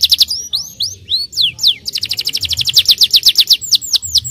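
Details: Starblue canary singing to get young canaries singing fast and rolling: quick high notes and sweeping slurs, then a steady rapid trill of descending notes to the end.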